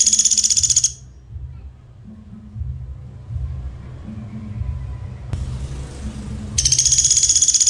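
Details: A Pelatuk Sampit woodpecker, recorded as a tutor song for magpie-robins, gives two fast, dense "speed" bursts of high, tightly packed notes, one at the start and one at the end, with a low hum between.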